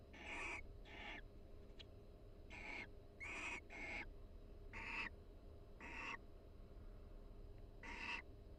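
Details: A barn owl pair calls softly to each other inside a nest box at the University of Florida during the breeding season while preening each other. Short hoarse, hissy bursts come in an uneven series, about eight over nine seconds.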